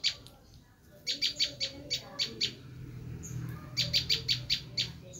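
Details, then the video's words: Bar-winged prinia screaming call used as a lure for wild prinias, heard as two clusters of rapid, harsh high notes separated by a brief quiet gap over a faint low rumble. "Suara asli prenjak lumut menjerit"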